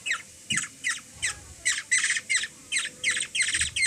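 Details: In the Philippines a hungry Black-naped oriole chick takes food from a three-year-old girl, uttering evenly spaced short harsh squawks, about two and a half per second, with a faint low background hum.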